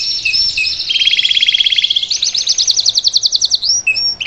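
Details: Salsa canary song used to train a young bird, made of fast rolling trills, a lower steady rattle, then brighter repeated notes about eight per second, ending in short whistled slurs.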